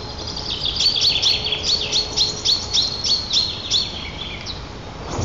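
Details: White-tailed eagle (Haliaeetus albicilla) pair greeting each other at the nest on 7 April in Nizhnyaya Kama National Park, Tatarstan, when the female returned: a fast series of high, thin, repeated yelping notes, about four per second, fading out.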